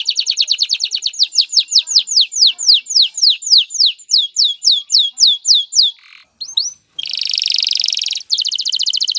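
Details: Male canary, singing to encourage a female to mate and build a nest, gives a long series of clear descending whistles, then brief notes, a short gap, and two buzzy trills.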